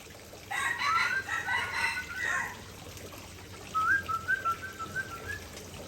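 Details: White-rumped shama of the Aceh type sings its signature fill-in phrases: loud harsh, buzzy stacked notes for two seconds, a pause, then a quieter run of clear whistled notes wavering slightly in pitch.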